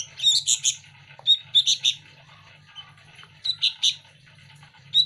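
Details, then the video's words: Hand-fed sooty-headed bulbul nestlings scramble for food with short harsh chirping bursts separated by quiet gaps, plus a few thin high squeaks, over a constant low background hum. "Anak burung Kutilang lokal asli gacor rebutan makan lolohan setiap Hari"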